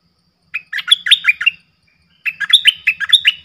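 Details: Streak-eared bulbul used as a lure bird for wild bulbuls; two quick phrases of bright, bubbly chirps, each about a second long, separated by a brief silence.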